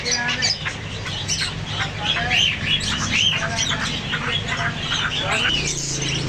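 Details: A flock of parrots keeps up loud, harsh chatter, with arched whistled calls standing out among the rasping squawks and a low droning hum behind.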